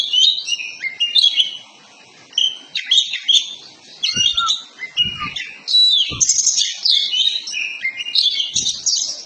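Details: Lure song of an Oriental magpie-robin, kacer poci type, used to get a bird to fan its tail and sing: energetic string of varied whistles, trills and rasping chatter, with several short low thumps in the background.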